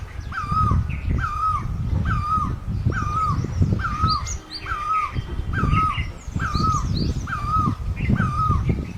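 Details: Long even run of about ten great barbet notes from Asia, each a rising then dropping ring, accompanied by scattered high chirps of other birds and a persistent low rumble.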